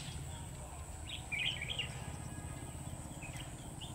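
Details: Red-whiskered bulbul used as a decoy for trapping, recorded 17 August 2020. A short burst of bright chirping, twittering notes in the middle, then softer chirps near the end, over steady low rumbling background noise.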